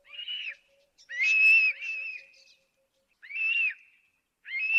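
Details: Eagle calling with high, clear whistled notes that arch up and then slide down, given in several separate bursts with short silent gaps between them.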